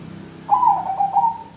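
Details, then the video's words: Bangkok-type zebra dove, perkutut, singing a quick run of soft, rolling, mellow coos that break into three linked pulses over a faint low background hum. "Bikin Kutut Bangkok Ikut Manggung DENGAN VIDEO INI,Pasti GACOR NYAUT dan NGAYER"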